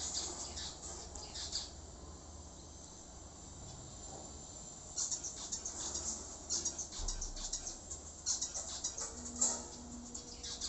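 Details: Zebra finches in breeding time chirp in short, bright, irregular bursts, a busy chattering of high nasal notes.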